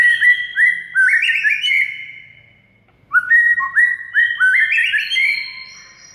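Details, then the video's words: A white-rumped shama song, played to spur silent shamas into singing: two phrases of clear stepped whistles, each climbing and then holding a long note, separated by a near-silent gap of about a second. "MURAI BISU AUTO GACOR DOR DENGAR MASTERAN SATU INI"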